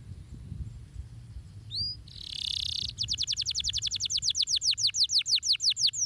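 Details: Stimulating canary song: a couple of high upslurred notes and a short hiss, then a long, accelerating-to-steady trill of crisp descending notes repeated roughly four times per second, with a soft background rumble.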